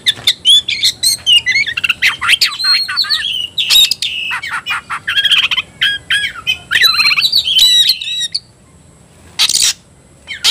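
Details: Oriental magpie-robin, a kacer provoked to fight, singing loudly: fast varied phrases of whistled notes, sharp clicks and harsh chatter, dense for eight seconds, then quiet with one harsh burst near the end.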